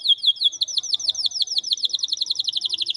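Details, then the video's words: Canary singing a fast, bright run of repeated down-slurred notes, about eight per second, high and ringing, with little else heard. The song is meant for training other canaries. "Canary Most Power Full Song For Training"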